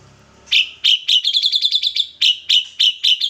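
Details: Ashy drongo, white-eyed form, singing actively with mimicked kapas tembak phrases: after a quiet start, a run of short, sharp, chirpy notes, briefly quickening into a rapid trill, then spaced single chips.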